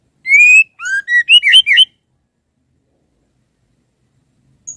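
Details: Female white-rumped shama calling the male with a single phrase: a long rising whistle, a lower downslurred note, then four quick twisting whistled notes. Silence follows.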